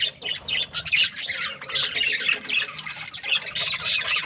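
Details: Budgies chattering with harsh squawks and bright chirps in quick irregular bursts, several birds overlapping, a faint low hum beneath.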